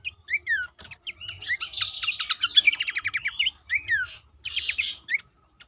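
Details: Horsfield's babbler singing on a recording meant to prompt kept birds to call. Slurred whistles are followed by a fast buzzy trill of repeated notes, then short rising and falling whistled phrases separated by brief gaps.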